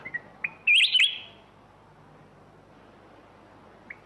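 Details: Black-crested bulbul singing one short, loud, warbling phrase near one second, with a few soft chips before it and a faint note at the end.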